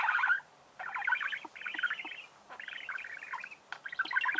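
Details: Budgerigar song, a continuous chattering warble of rapid, buzzy notes in long phrases with brief gaps, including creaky sounds.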